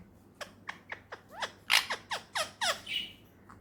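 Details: Pet ringneck parrot, a talking bird, gives a quick series of about a dozen sharp descending chirps and squawks, growing louder mid-way, over a low background hum in a room.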